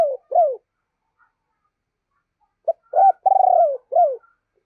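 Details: Spotted dove decoy with a deep, husky voice, calling and urging to lure wild doves. Two low coos, a pause, then a phrase of clipped notes, a long pulsed drawn-out coo and a final falling coo.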